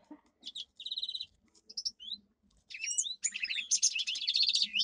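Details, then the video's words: Domestic canary, a caged pet songbird, singing a powerful training song: rapid buzzy rolls and high trills broken by short pauses, then a dense run of fast, bright trilled phrases at the end. "Canary singing - 2 Canary 's most powerful song for training"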